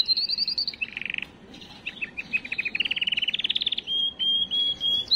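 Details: Canary singing to excite females for breeding, a varied run of high trills: a fast roll, a lower buzzy burst, even pulsed notes repeated about three per second, then long clear whistled tones near the end.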